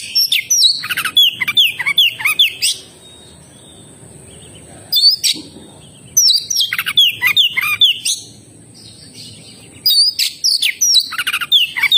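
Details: Oriental magpie-robin (kacer) singing lively 'gacor' song in three dense bursts of rapid, varied whistles and chattering slurs. Each burst lasts about two to three seconds and is separated by quiet pauses, over a low background hum.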